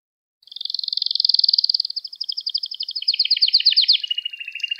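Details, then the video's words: Canary song recorded as a lesson for young canaries learning to sing: a long, bright, high rolling trill that starts steady, then breaks into faster pulsed notes and ends in a lower buzzy roll. "Kanaryanız Çıldıracak Ders Gibi Kanarya Sesi Ve Ötüşü"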